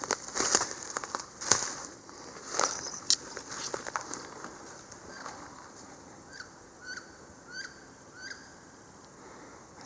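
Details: A wood duck in a Vermont mountain forest near beaver ponds gives four thin, high squealing notes, each sliding upward, about half a second apart, after crackling and rustling handling noise; a viewer identified it as a wood duck call.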